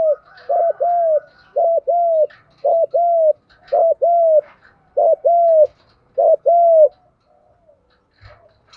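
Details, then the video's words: Lure call of a spotted dove, 'giọng đồng gù vấy thúc' style, used to train wild-caught and decoy birds: six quick two-part phrases, each a clipped note then a sustained arched coo, steady mid pitch, faint background chatter. "cu gáy giọng đồng gù vấy thúc cực căng"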